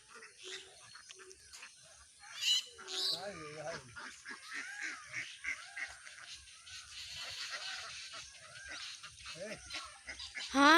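A crowd of ducks calls over one another in harsh, nasal quacks and honks, some rising and wavering, with a steady background murmur of the flock.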